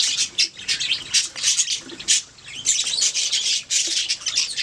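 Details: Budgies chirping in steady chatter: rapid, raspy high notes in closely packed bursts, nearly continuous with only short breaks.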